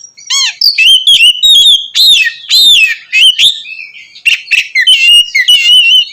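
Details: Oriental magpie-robin singing loudly and continuously in a vigorous, flowing style meant to provoke other magpie-robins; rich varied phrases of whistles, slurred notes and quick chattering bursts, high-pitched and nearly unbroken.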